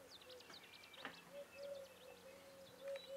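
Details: Eurasian teal (Anas crecca) at Valle Canal Novo, Marano Lagunare, on 4 April 2024 give quick, high, clipped whistles in rapid overlapping bursts, like several birds calling at once, over a steady low hum.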